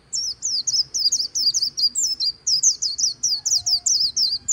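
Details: On the bank of the Kỳ Cùng River, a white-eye delivers its líu choè style song: a steady stream of sharp, thin, down-slurred chirps repeated several times per second, bright and high over a quiet background.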